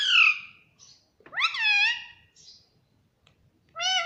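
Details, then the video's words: Talking parrot giving a few "mummy"-like utterances: a falling call, a longer arched harmonic phrase, then a rising start at the end, separated by brief faint sounds. "Mummy Papa Bolne Wala Tota || Talking Parrot"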